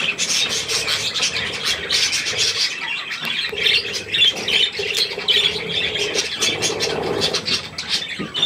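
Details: Several budgerigars together with their young around millet, recorded 3 May 2024, keep up a busy overlapping warble of scratchy squawks and short chirps, with a soft lower hum running underneath throughout.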